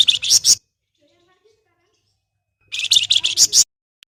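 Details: Flamboyan song meant to prompt other birds of its kind to whistle: two rapid bursts of scratchy, chattering high notes separated by about two seconds of silence, with a faint low hum under the bursts.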